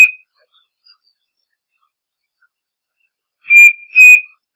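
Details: Striped cuckoo delivering a paired whistle, two even, clear notes close in pitch with the second a touch higher, after a quiet gap that opens on the end of a previous note.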